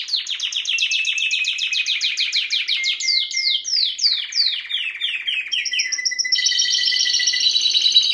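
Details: Singing Timbrado canary for canary training: a long series of quick descending chirps, slowing into stepped notes, then shifting to a sustained, warbling, bubbling trill at high pitch.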